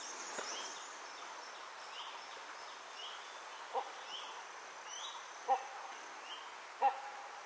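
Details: Male great hornbill perched on the highest branch in dense, tall-canopied forest of Nameri National Park, calling loudly for a female: short, loud barking notes, three spaced a second or more apart, over soft hiss with faint rising chirps from other birds.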